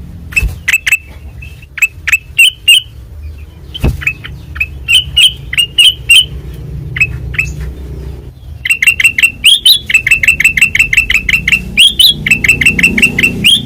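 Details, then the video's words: Sustained ngeplong song from a white-eyed kutilang emas: spaced clear whistles at first, then after a short gap a fast, even train of bright rising notes at several per second. One loud knock midway. "Suara Asli Ngeplong Kutilang Emas Mata Putih Gacor Dor"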